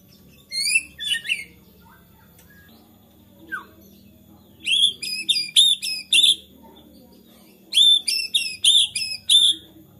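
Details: Agitated white-rumped shama whose singing is said to draw other shamas into song; bursts of sharp, high metallic chip notes, five or six per burst, with long quiet pauses and a faint low note between.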